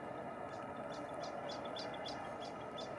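Brown-headed nuthatch giving a quick series of high, squeaky notes, about four per second, over a steady roar of traffic or machinery.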